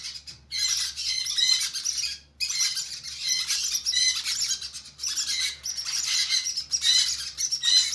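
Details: Conure chicks beg during hand feeding with raspy, buzzing squawks in sustained bouts of about two seconds, each separated by a quick pause.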